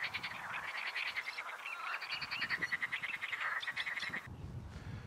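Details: On a windy May day at the edge of a pond in Slatina, a small marsh just outside Prague, Czechia, a Great Reed Warbler sings a loud, harsh run of croaking, grating phrases, rapidly repeated, ending abruptly.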